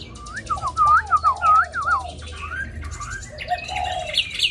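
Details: Hwamei in a cage, noted for singing all the time with a wild-type voice, here giving lower looping whistled notes in a quick series, followed by scattered higher twittering phrases.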